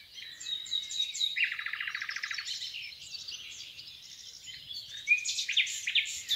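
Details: Common nightingale singing in the Rawka river valley near Doleck: a rapid low rattling series of repeated notes lasting about a second, followed by varied chirps and a clear whistled note, amid many other songbirds.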